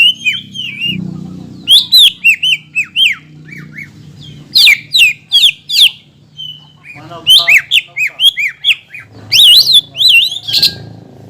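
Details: Greater green leafbird song meant to stir up opposing green leafbirds: bursts of varied whistles, harsh buzzy notes and rapid chattering phrases separated by short pauses; low background hum throughout.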